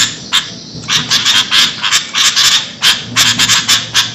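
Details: Sooty-headed bulbul giving noisy calls used to lure birds: after a brief quiet start, clipped harsh notes with whistled tones come in quick runs of three or four, separated by short gaps.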